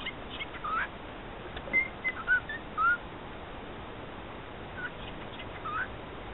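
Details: A male pet cockatiel repeats words learnt around the house, such as "E = MC squared", in short, whistled, speech-like phrases with gliding and rising notes.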